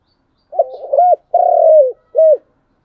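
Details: Spotted dove phrase in the chiêu and thúc styles: a quiet wavering intro leading into a short arched coo, a long gently falling coo, and an ending short rise-and-fall note.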